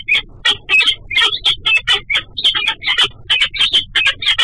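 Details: Female peregrine falcon at her nest in the morning, after a huge meal, chatting with her mate as he flies by, captured on a nest webcam: loud, harsh, rasping calls repeated rapidly, roughly four per second, in a steady chattering series.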